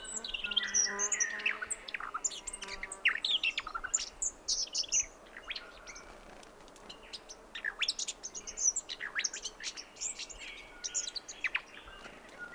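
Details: Dawn chorus at Mt Hotham, Victoria, Australia, 7am on 29 December 2011: Brown Thornbill twittering amid Gang-gang Cockatoos, Grey Shrike-thrush and honeyeaters. A busy stream of high chirps and trills, with a lull in the middle before the calls resume.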